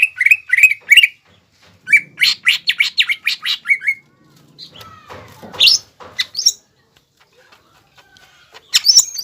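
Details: Greater green leafbird, singing vigorously to provoke rivals into crest-raising, Indonesia: loud bursts of sharp, squeaky whistled notes in quick clusters, then scattered high chirps and pauses.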